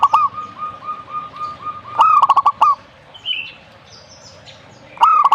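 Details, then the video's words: Zebra dove: a soft series of even, repeated cooing notes leads into a loud rising note and rapid staccato trill, with the trilled phrase starting again near the end; a brief higher chirp sounds between. "burung perkutut"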